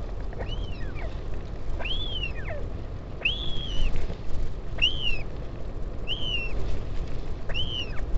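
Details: Northern royal albatross colony at Taiaroa Head near Dunedin, New Zealand, with a parent visiting its chick, 16 July 2019. Six curved whistles, each swelling up and trailing down, about every 1.4 seconds, over low windy noise.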